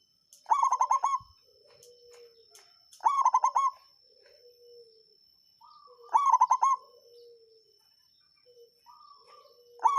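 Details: Local songgo ratu zebra dove, played to stimulate rivals and encourage lazy birds to sing: four loud phrases of quick rolling coos at irregular intervals, soft low notes between them, and a steady faint high whine throughout.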